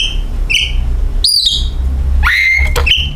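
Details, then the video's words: Oriental magpie-robin song used as a lure to get other birds singing: a few sparse clear whistled notes, one long level whistle near the end, over a steady low hum. "Pancingan Kacer"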